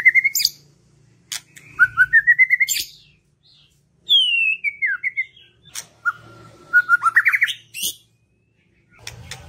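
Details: White-rumped shama song used as a lure to stir reluctant birds into singing: loud clear whistled phrases, some rising and sliding, others quick stuttered note runs, separated by short silences, with a faint low hum behind.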